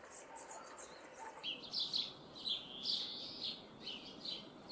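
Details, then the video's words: Juvenile common starlings held in a cage in Liepāja, Latvia, May 2024, with urban noise behind them. Rasping, grating calls are repeated roughly every half second, some stretched into longer harsh churrs. "MĀJAS STRAZDI / Sturnus vulgaris / būrī. Jaunie putni."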